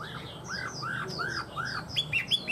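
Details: Tame Chinese hwamei repeating an arched, mid-pitched whistle about every half second, followed by a few sharper high notes.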